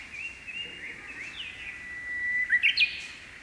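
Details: Morning song of a Japanese bush warbler in May, perched on a silver grass plume: short sliding notes lead into a long level whistle, finishing with a sharp, bright three-note flourish.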